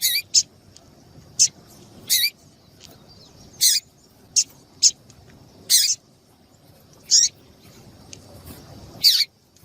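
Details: Female double-collared seedeater, whose call is played to excite males into song for competitions, giving about eleven brief bright high chips, some single, some in quick pairs, spaced unevenly over light hiss.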